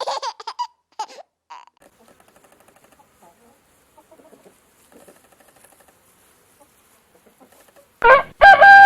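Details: Rooster: a few short clucking bursts, a long quiet stretch of faint soft clucks, then a loud, harsh, drawn-out crow at the end.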